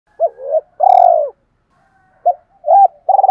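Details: Captive decoy spotted dove cooing in the two-ending style used to provoke wild doves: short mellow coos, then a long rolling, slightly falling note, then arched hoots. The setting is otherwise quiet.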